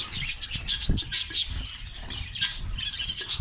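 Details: Australian parrots of a colony in Karachi chirping in quick bright bursts, short high notes tumbling over one another, set against a low background hum.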